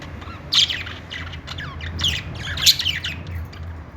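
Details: Budgerigars making happy sounds: three loud clusters of scratchy chirps and warbled squawks within four seconds, over a low hum.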